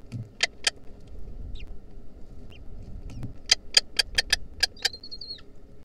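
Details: Wild lesser kestrel nestlings in 2023 receive a centipede and call: a pair of short harsh chips, a pause, then a quick run of seven chips ending in a thin drawn-out whistle, low hum throughout.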